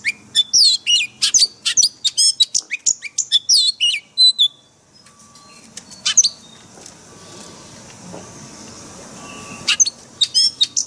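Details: Caged-bird training recording of an Oriental magpie-robin's 'forest voice' song, opening with a fast run of loud piercing chirps and whistles, then a quieter stretch of faint distant notes before sharp chips return near the end.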